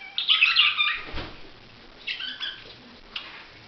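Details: Budgerigar giving one loud, harsh chirp, then a dull knock and a few faint, distant chirps.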